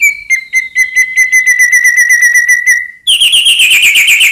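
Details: White-rumped shama song used to provoke rival birds into answering: a long steady rapid trill of repeated whistled notes, switching abruptly to a louder, higher buzzy rattle.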